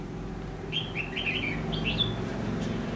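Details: Red-whiskered bulbul fighting song used as a lure for trapping in Vietnam: a short run of clear, rising and falling whistled notes in the middle of the recording, over a steady low hum.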